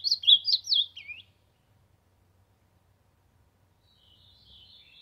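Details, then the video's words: Ultramarine grosbeak singing to warm up: a short burst of sweet, warbled whistles sliding up and down, dropping at the end, followed by a long pause and a faint, thin trailing phrase. "Azulão cantando pra esquentar"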